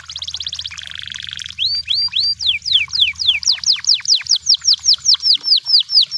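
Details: Canary in the wild: a rolling buzzy trill and lower churr, then a long run of clear downslurred whistles repeated roughly three times a second, growing louder.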